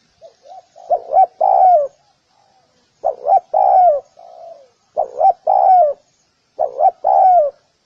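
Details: Spotted dove calling: soft, low cooing phrases of three or four notes, the final note longest and loudest, repeated roughly every two seconds with short silent gaps and no other sounds.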